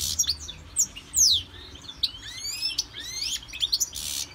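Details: Goldfinch in a Victorian brass cage, undergoing CD song training, sings scattered high notes: sharp descending slurs, rising whistles and a few short hissy bursts.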